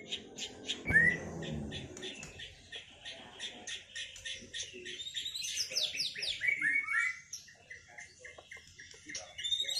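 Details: Caged white-rumped shama after moulting, singing a duel to restore its performance: fast repeated chips and trills, then descending whistled runs, with a brief thud and faint voices in the room.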